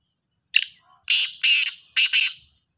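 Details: Black francolin giving its morning call at Sahiwal, September 2022. A brief harsh opening note, then two long rasping notes and a doubled final note form a loud, grating phrase of about two seconds.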